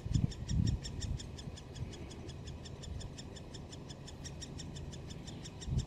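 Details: Young great spotted woodpeckers in their nest at Solleveld, 26 May 2018. A red-crowned chick pokes its head out between feeds, chattering as if urging its parents on. Steady high ticking chatter, around five notes a second, with deep rumbling and knocks.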